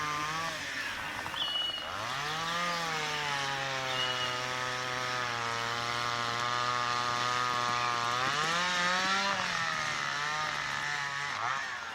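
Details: A chainsaw engine drones steadily for the whole clip, its pitch dipping and revving up a few times, with no clear animal voice.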